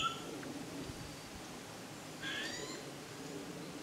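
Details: White-eared sibia (Heterophasia auricularis), a Taiwan endemic, gives one short, bright, slightly wavering whistled call after a faint thin note at the start, over soft background hiss.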